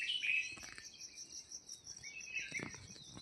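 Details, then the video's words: Small birds give bright, high chirps, one near the start and another after two and a half seconds, over a steady high insect-like hiss, at a village in Uttarakhand, India, near Mussoorie. "real Birds chirping sounds"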